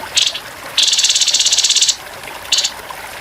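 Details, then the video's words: Grey-headed babbler, a training recording for songbirds with trickling water, in a rough rapid-fire style: short harsh buzzy rattling bursts, high-pitched, one brief, one long sustained trill of about a second, then another short burst. "TEMBAKAN KASAR BURUNG TEPUS KEPALA ABU"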